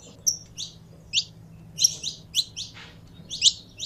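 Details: Saffron finch in a keeper's care, warming up: scattered bright chirps, each short and sharply falling, spaced irregularly with pauses between, a low electrical-sounding hum beneath.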